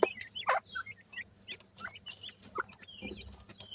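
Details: Young grey francolins cheep with bright, brief, high whistled notes, some rising and some falling, in an irregular chorus over faint background hiss and occasional thumps.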